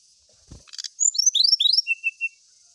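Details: Brown-chested jungle flycatcher singing as if seeking a rival: after a soft click, a quick burst of high, sweet, slurred whistles tumbling in short rising-falling strokes, closed by three evenly spaced lower steady whistles, in a quiet background.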